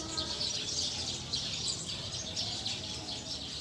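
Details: Eurasian tree sparrows, wild, gathering to roost in a tree: a dense, continuous chatter of many high chirps and tweets overlapping with no pauses, a steady flock din over faint low background rumble.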